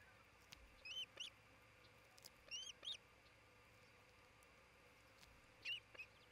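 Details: Osprey pair nesting in Charlo, Montana, recorded by nest camera on 27 June 2018 late morning; clusters of sharp, high whistled chirps, each slurring up then down, come in pairs and triplets about every one to two seconds.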